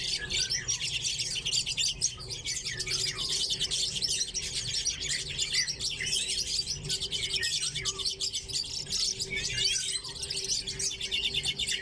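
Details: Several caged common redpolls, housed with chaffinches, keep up a continuous chorus of high, quick chirps and rattling trills, the overlapping calls filling the whole stretch with only brief lulls.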